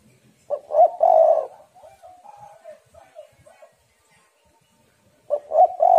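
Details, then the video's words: A female spotted dove's cooing lure for males opens with a stuttering note and a long rolling coo. Several softer short coos follow, then the loud phrase begins again. "tekukur super gacor suara betina yang sedang sange"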